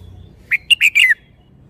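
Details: A caged Red-whiskered bulbul with admired phrasing delivers a fast, bubbly phrase of four or five liquid whistled notes, ending in a downward slur, against a quiet background.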